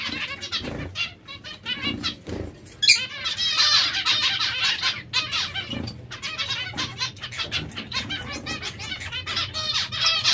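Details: Zebra finch breeding pairs kept in captivity: dense stream of nasal, trumpet-like notes and buzzy chatter from several birds, overlapping and nearly continuous, over a low background hum.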